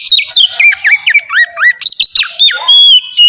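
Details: Oriental magpie-robin, singing to prompt other magpie-robins: fast string of swooping whistles, down-slurred and up-slurred notes with harsh chips, ending in a long steady whistle.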